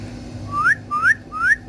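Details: Pet talking parrot indoors giving three loud rising whistles, each sweeping upward and cut off sharply, spaced about half a second apart over a low background hum.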